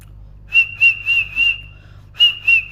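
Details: Parrot chirping: a quick series of four joined high chirps on one pitch, a pause, then two more.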